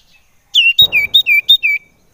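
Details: Common iora lure call intended to rouse other ioras: six clear whistles in quick succession, each sliding down in pitch, with a soft thump near the start.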